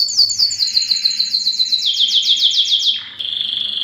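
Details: Belgian canary singing a fast series of repeated descending high notes, about three per second, dropping lower partway, then ending in a steady high trilled tone.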